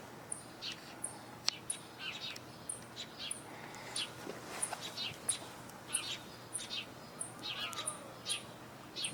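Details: House sparrows chirp in a loose, busy chorus around hawks perched on a campus building, with a thin high ticking note repeated steadily from an unidentified bird, possibly a chipping sparrow.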